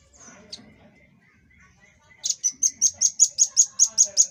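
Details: Velvet-fronted nuthatch, rambatan paruh merah, as masteran material: a couple of soft high calls and faint chatter, then a long tembakan of about eleven shrill notes repeated evenly, roughly five per second.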